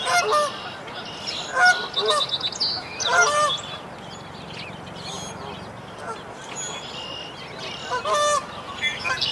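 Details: Canada goose calling at a dead-tree nest as five newborn goslings jump down to follow their mother; harsh, harmonic honks in short bursts about every second or two, with thin high peeps mixed in.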